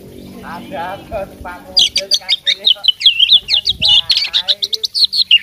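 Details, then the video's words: Fighting oriental magpie-robin bursting into a fast, sharp series of chirps and twisting whistles after a voice is heard talking in the background at the start. "suara kacer petarung bongkar isian gacor"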